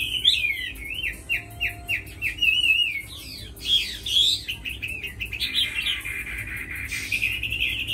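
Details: Tamed Chinese hwamei, a good fighter with a fine voice, repeats a series of clear downslurred whistles, then breaks into varied warbling and a long harsh buzzy passage.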